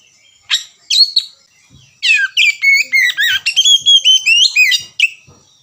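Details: Oriental magpie-robin lure song, ngerewek kicau: a few sharp single notes, then a dense, fast string of bright whistles and buzzy, slurred notes, roughly four per second.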